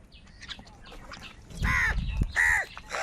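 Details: Crows fighting for food; loud, nasal, harsh caws repeated about twice a second dominate the second half, after softer chatter, with low rumbling noise beneath.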